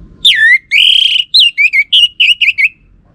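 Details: Orange-headed thrush lure song, used to provoke a reply from males: a string of about nine loud whistled notes, each sweeping down then up, the first long and slurred, the rest shorter and quicker.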